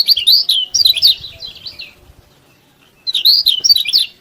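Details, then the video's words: Yellow-bellied prinia in steady song, used as a training recording to get lazy prinias singing: two bursts of fast, high, buzzy twittering notes, the second starting after about a second of silence. "KECIAL KUNING GACOR BIKIN KECIAL MALAS BUNYI RAJIN BUNYI"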